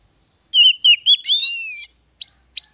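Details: Daily stimulation song of an Oriental magpie-robin for a bird that has stopped singing: short whistled notes leading into a sustained rich whistle, followed by two sharp rising chips.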